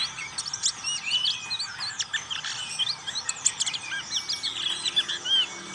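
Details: Black-capped white-eye, local name pleci, singing in the ngriwik style: a dense, rapid stream of high chirps, twittering notes and short whistled slurs, with brief sharp ticks scattered throughout.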